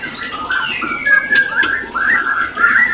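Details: White-rumped shama mating call, played to raise breeding condition: a short run of clear whistled notes around the upper mid range, some sliding upward and some falling, with faint background hiss.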